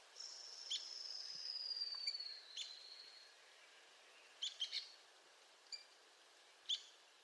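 Arizona woodpecker giving a long, high, descending rattle, then sharp single 'peek' notes every second or so over a soft outdoor hiss.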